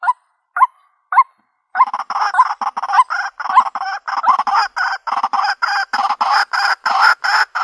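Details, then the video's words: White-breasted waterhen call used as a trap lure in the country: three separate hooked croaks, then a dense run of harsh, rasping notes repeated about twice a second. "Bird Sounds White breasted Waterhen Bird ( Water Cock Soun)"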